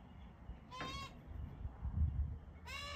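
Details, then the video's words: A magpie gives two short, nasal, harmonic-rich squawks at the start and end, with low thumping and rustling noise between them. "This magpie is a bit dramatic!"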